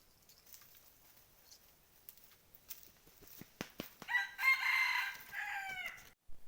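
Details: Red junglefowl crowing, a bird used as a decoy to draw in wild junglefowl, recorded 12/1/2021; a loud, harsh crow rises and falls over about two seconds, after soft rustling and clicks.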